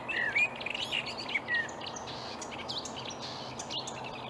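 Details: Reed-dwelling marsh warbler at Upplands Väsby, Sweden, on a May morning in 2020, opening with bright slurred whistles and chatter that grow fainter into scattered soft notes over steady hiss.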